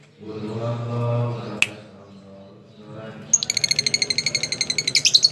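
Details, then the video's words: ["After a few seconds of human voice and a single sharp click, a lovebird bursts into ngekek song, the long 'konslet' chatter used to lure other lovebirds: rapid high pulses, getting louder toward the end."] "LoveBird Konslet Ngekek Panjang Terbukti Ampuh Pemancing Love Bird Ikut Ngekek"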